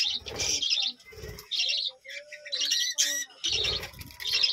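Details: Colony budgerigars at a village home give high, buzzy chirp bursts, with a soft low tone and low pulsing sounds between some bursts.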